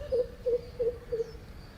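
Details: Greater coucal played for schoolchildren in a bird-sound lesson: four deep, hollow hoots in steady succession about every third of a second, with faint background hiss.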